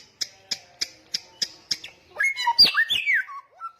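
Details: Samyong, loud and persistent: six evenly spaced sharp ticks, then a brief rich phrase of whistled slurs and a falling note.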